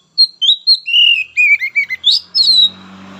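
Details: White-rumped shama singing a lively string of whistled and warbled notes, some falling and some rising, followed by a low droning hum.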